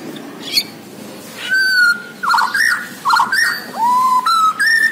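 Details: White-rumped shama of Borneo singing energetically: a sharp click, then long level whistles alternating with jumbled warbles and rising slurred notes, each phrase separated by short pauses.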